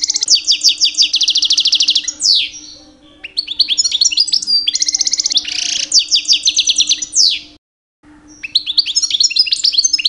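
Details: Two-year-old pet European goldfinch, male, in full mating-season song meant to attract females: long fast series of repeated metallic notes alternating with buzzy bursts and chattering twitters, one short silence near the end; faint background hum.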